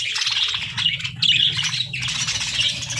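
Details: Pet parakeets chirping cheerfully in a dense, continuous stream of high, scratchy twitters and warbles with short squeaky notes, over a steady low background hum.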